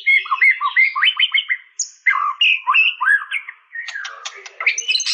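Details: White-rumped shama in full song: chattering, rapid varied whistled notes in two bursts separated by a brief pause, ending in clicking rattles and high whistles.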